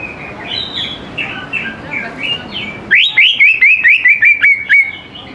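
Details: Lure song of an active greater green leafbird for prompting young birds to sing: quiet mixed chatter, then a rapid series of about ten loud, clear whistled notes, each sliding down.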